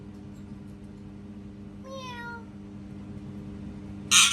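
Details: Pet parrot imitating a cat: a single drawn-out meow, starting higher and sliding down over about half a second, with rich harmonics, then a short harsh burst at the end; steady low indoor hum.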